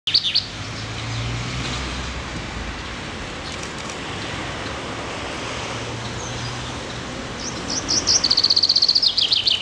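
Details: A common chaffinch, unafraid of passersby, chirps on a sidewalk in Gus-Khrustalny: short, high chirps at the start, then a quick run of repeated bright notes at the end, over steady traffic-like background noise.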